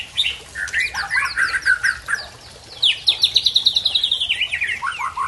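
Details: Aceh white-rumped shama originating from Tangse showing its learned song repertoire: rich whistled phrases, then a fast even trill of repeated sharp notes sliding downward, ending in slurred whistles.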